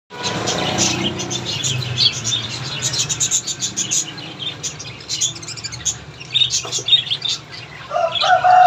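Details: A pair of plum-headed parakeets: dense, high chirping and squawky calls throughout, overlapping chatter with flapping, and a brief tonal whistle near the end.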